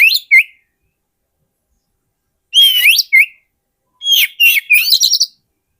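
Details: Oriental magpie-robin song used as a lure for wild birds: loud whistled phrases with sweeping, slurred notes and sharp upslurs, delivered in bursts separated by silent pauses.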